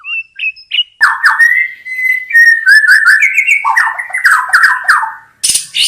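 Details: White-rumped shama singing strongly, used for attracting birds: a few soft whistles, then a long sustained whistled note leading into rapid trilled and rolling phrases, ending with a harsh burst.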